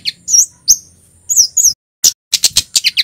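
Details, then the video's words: Male red Javanese kemade (Scarlet-headed Flowerpecker) in full cit keres song: thin, very high whistled chirps and sharp downslurred notes in short bursts, with two brief pauses before a quick run of ticking notes. "Suara burung KEMADE cit keres FULL GACOR"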